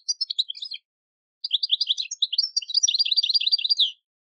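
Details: European goldfinch performing campero field song, recorded for teaching novice decoy birds: short twittering phrase, a pause, then a longer, rapid run of liquid, tinkling high notes and buzzy trills.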